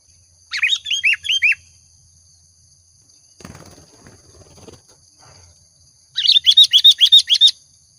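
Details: Chatty Sooty-headed bulbul lure sound: a quick series of down-slurred notes, a stretch of soft rustling noise, then a rapid repeated run of bright chirps.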